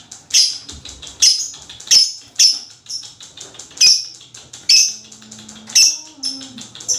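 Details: Lovebird chattering meant to prompt other lovebirds to call: sharp, high, buzzy chatter bursts repeated roughly every half second to one second, with faint low hum and a brief low tone near the end.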